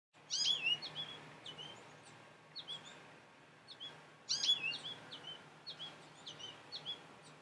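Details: A young goldfinch calls from a garden bird feeder to other finches nearby: a bright, twittering cluster of high descending notes repeats about every four seconds, with softer single chirps in between and a faint low hum.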